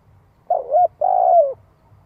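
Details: Spotted dove luring call in 'giọng hạp' style: a wavering coo rising at its end, then a long, burry coo gliding steadily downward.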